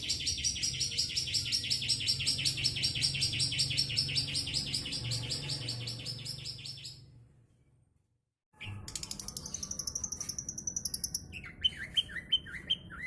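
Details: Caged long-tailed shrike from Bojonegoro, kept in Jombang, East Java, Indonesia, dark-plumaged and freshly moulted, fed mineral water and pellets; a fast, dense run of high chirping notes, then a short pause and another rapid chattering burst with sweeping notes.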